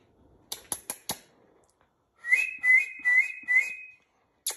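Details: Rainbow lorikeet being hand-tamed and trained, whistling a learned phrase: four clear rising-falling whistled notes in a row, after a few sharp clicks and taps.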